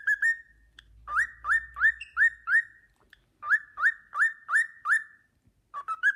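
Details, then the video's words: Pet cockatiel whistling the Sportpalast Waltz as a companion cockatiel looks on; a long steady whistle, then runs of five upslurred notes in even rhythm, with a faint low rumble in the background early on. "Nymphensittich Carlo pfeift den Sportpalast-Walzer"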